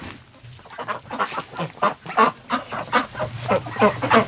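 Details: Domestic ducks in a farm barn on a February morning quack harshly and nasally, about three calls a second in a steady chorus, while a person speaks softly nearby.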